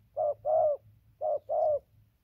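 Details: Two quick cooing pairs from a decoy spotted dove, each a short hoot followed by a fuller, slightly drooping coo, with light low background noise.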